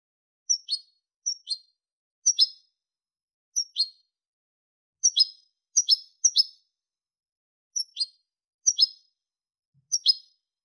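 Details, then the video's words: European goldfinch, clean song, 2023: a loose series of about ten high, sharp double chirps at irregular intervals over ten seconds, some in quick pairs, on a quiet background. "canto del jilguero limpio"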